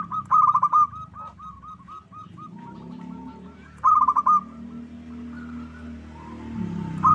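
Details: Zebra dove lure, local perkutut type, used to make a bird sing and reply: stuttering bursts of quick hooked coos followed by softer trailing notes, over a steady low hum in the background.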